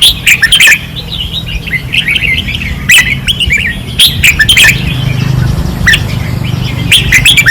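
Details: Red-whiskered bulbuls singing hard at a training perch, 2024, Pattani: lively, repeated whistled phrases with sharp chirps from several birds, in quick succession over a low hum.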